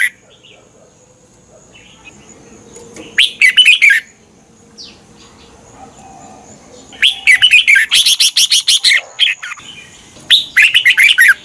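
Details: Red-whiskered bulbul singing for training or exciting other birds: three phrases of fast, chattering whistles, the middle one a long rapid run of about two seconds, with quiet gaps in between.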